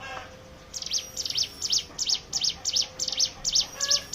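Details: Hill prinia lure song for making other birds sing; quick, evenly spaced shrill double chirps repeated about three times a second.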